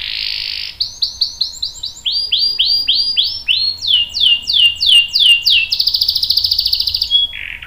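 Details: Canary singing a long roll meant to coax other canaries into song: a brief buzz, then runs of rapid downslurred whistles repeated about four per second at shifting pitches, ending in a fast rattling trill and a short low buzz.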